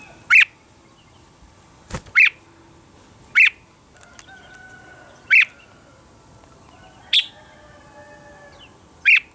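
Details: Red-whiskered bulbul singing at morning for voice training: a clear, sharp chirped note repeated about every one to one and a half seconds, fairly evenly spaced, over low background hiss and faint whistles.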